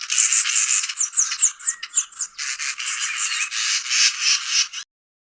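A Southern Masked Weaver gives a fast, buzzy, sizzling chatter broken by short swizzling whistles, running without pause for about five seconds.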